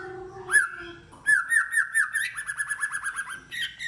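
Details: A white-rumped shama in competitive singing: a rising whistle, then a fast rhythmic series of about twenty repeated clear notes, ending with a higher flourish.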